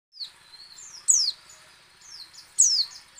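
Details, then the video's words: White-eye voice played to draw other white-eyes into song: two sharp, high descending whistled slurs about one and a half seconds apart, with fainter thin chirps between over a quiet background. "PLECI ngecal, ngalas dan nembak AMPUH memancing pleci buka paruh."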